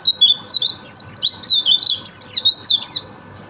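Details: Nonstop rapid warbling by a white-eye: high, sweet notes sliding up and down in quick bursts for about three seconds before stopping, over a faint constant hum.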